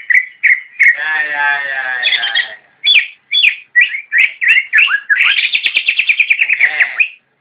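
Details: Javan white-eye singing in the nyinden style: a dense buzzy chattering trill, then a string of short sharp whistled notes, ending in a fast, even rattle of repeated high notes.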